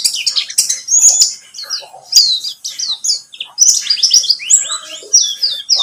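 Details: Buxtomi white-eye lure song meant to set other birds singing, delivered as a dense, rapid stream of sharp high chirps and slurred whistles that keeps going with only short breaks.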